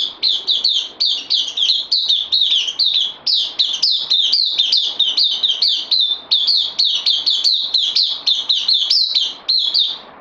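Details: Caged bulbul, a newcomer on loan, sings a long run of quick, bright chirping notes, each dropping sharply in pitch and repeated several times a second with scarcely a pause.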